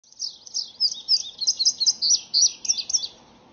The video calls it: Indigo bunting